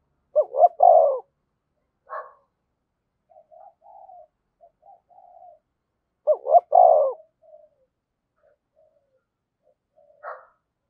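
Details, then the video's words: Decoy spotted dove calling to draw in wild doves, a 'thổ sấm' style voice: loud three-part cooing phrases, two quick rising notes then a long throaty coo, repeated about six seconds apart, with soft murmured coos and short notes between. "chim cu gáy thúc và gáy gọi cực đỉnh, chim cu gay kich boi nhanh noi"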